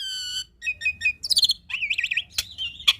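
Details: Close, clear black-winged starling singing fully: a drawn-out nasal note, quick chipping notes, a shrill trill, then wavering warbled whistles cut by sharp clicks. Played to coax young or lazy starlings into singing.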